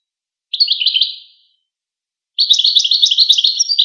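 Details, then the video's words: Goldfinch twittering: a brief burst of high chittering notes, a silent gap, then a longer rapid, continuous run of bright, high-pitched chattering notes; clean recording without background noise. "Songs of the Goldfinch"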